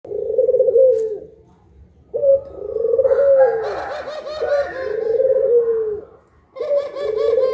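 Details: Two puter pelung collared doves, Indonesian training recording, cooing at midday: long low drawn-out coos that rise then sag, repeated about every two seconds, with a brief higher overlapping call from the second bird midway.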